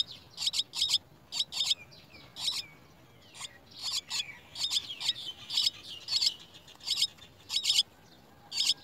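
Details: At the nest, Chestnut-tailed starling young being fed worms give rasping high chirps in tight clusters, nearly continuous bursts with brief gaps, over soft sliding whistled notes.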